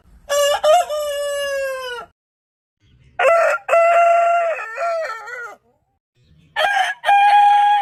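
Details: Long crowing from a rooster: a drawn-out, steady crow lasting over a second and a half, silence, then a stepped crow with several held segments, and a third crow starting near the end, with quiet gaps between.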